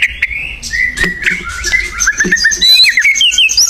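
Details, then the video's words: White-rumped shama in the wild singing actively: long clear whistles lead into quick, twisting, rising phrases that climb higher toward the end, with faint clicks in the background. "SUARA UNIT MURAI BATU GACOR DI ALAM LIAR"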